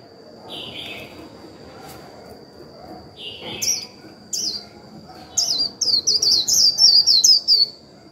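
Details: Japanese white-eye used as a decoy to provoke other white-eyes into singing, giving its 'líu' song: a few scattered high notes at first, then a rapid run of bright, descending whistled slurs tumbling together toward the end.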